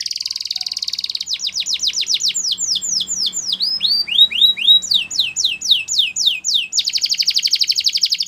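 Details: Song of a Russian canary: buzzy rolling trill, then rhythmic falling whistles at a steady fast pace, a lower swooping section, more slurred whistles and a closing bright rapid trill.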